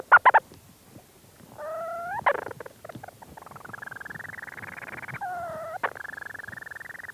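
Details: Leach's storm-petrel calling from within its burrow at St Lazar, close up: a long, steady, rapidly pulsed purring churr with short nasal harmonic notes between, plus brief scratchy rustling movement sounds at the start.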